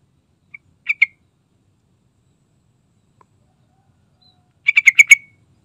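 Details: Yellow-vented bulbul singing gacor lure song. A soft note and two short chirps come first. After a pause, a rich burst of five rapid bubbly notes follows.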